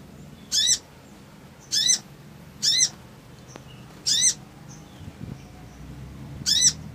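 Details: Chirping crimson sunbird male, used to provoke rivals, giving single sharp buzzy notes with an arched lower tone, about one every second and a half, over quiet low background hum.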